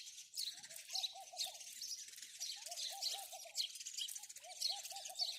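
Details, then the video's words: Steady house sparrow chatter of thin, scratchy chirps throughout, with a dove repeating a short series of soft, bubbling coos three times. "house sparrow birds call | house sparrow sound | house sparrow chirping"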